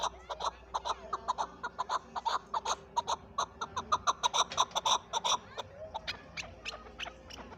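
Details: Chukar partridge, named as Pakistan's national bird (chakor), giving a long run of short, hard clucking notes, roughly four to five per second, building steadily in loudness through the middle and then easing off, with no other clear sounds.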